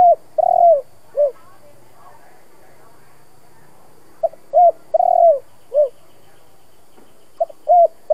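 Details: Spotted dove cooing in the 'giọng thổ' style meant to rouse decoy birds to sing. Three phrases of short coo, drawn-out rolling coo and a dropping final note, separated by pauses of roughly three seconds. Faint background murmur.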